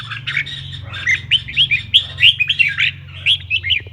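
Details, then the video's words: Red-whiskered bulbul song meant to stir bulbuls to sing; cheerful, liquid whistled notes with quick upslurs and twists, delivered in a brisk chattering sequence over a constant low hum. "GIỌNG CHÀO MÀO HÓT _ KÍCH CHÀO MÀO HÓT"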